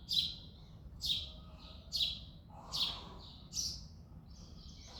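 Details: February early morning, male house sparrow repeating loud chirps: six bright, harsh notes about one per second, the last running into a longer rising chirp.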